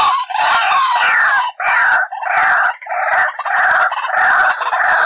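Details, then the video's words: White-breasted waterhen lure call for trapping: long, loud, raucous grating phrases, each about a second long, repeated with brief gaps. "SUARA PIKAT BURUNG RUAK-RUAK"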